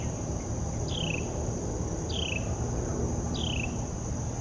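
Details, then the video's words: Morning Carolina wren at Tuckahoe Creek Park, captured with a Canon PowerShot SX70 HS, gives three quick falling rattled notes spaced roughly 1.2 seconds apart, with a constant high-pitched insect hum and low background noise. "Carolina Wren Calls"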